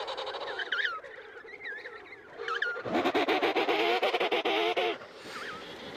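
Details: Emperor penguins at the Cape Crozier colony, Antarctica: high, wavering whistled calls, then a loud, rich trumpeting call with a fast quavering pulse for about two seconds, with other birds calling behind.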